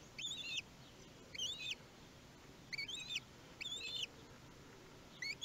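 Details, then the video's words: Common kestrel family at a nest webcam in Théding, France, on 18 May 2021, the day the first chick hatched: thin, high, wavering squeaky calls in short paired bursts, about five over five seconds, above a low rumbling background. "Le 1er fauconneau est arrivé"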